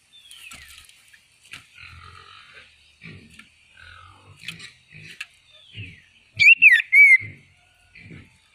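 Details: Red-tailed minla song: scattered short chirps and slurred whistles, then two loud, sharp, wavering whistled notes near the end, with low grunting thumps in between.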